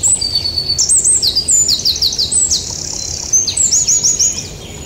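Yellowhammer song: quick runs of thin, high, slightly buzzy notes repeated several times a second, in two short bursts over a quiet background.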